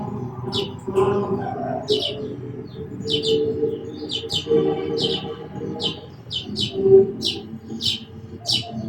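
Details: Sparrow chirping repeatedly, crisp high notes about once a second, over a steady low humming background and faint lower tones.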